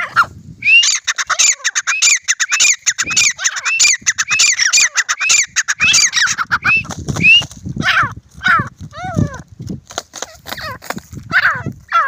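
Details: Grey francolin while fighting: a fast series of sharp, upturned repeated calls over dense clicking and rustling, followed by looser falling harmonic notes and scattered knocks.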